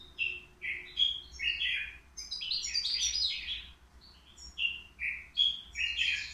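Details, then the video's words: Three-year-old European goldfinch in a cage at the Qriaa bird market, praised for faultless singing; lively repeated chirps build into a tumbling rush of bright trills, then spaced sweet twitter notes resume. "الموقنين بدون أخطاء عندو 3 سنوات"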